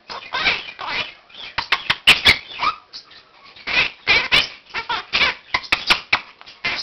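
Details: Indoor pet Quaker parakeet, one year old, during a daily 7 am wake-up session of practised words and phrases with other caged birds joining; dense run of rasping, squawky syllables and quick whistles, with clicky bursts and brief quiet gaps.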